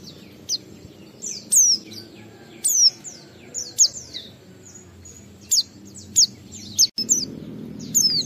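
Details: White-eye singing in the ngalas style with continuous wiksar phrasing, used to lure other white-eyes into singing: sharp, high, descending chirps and slurred whistles in short bursts every second or so, over a faint low hum.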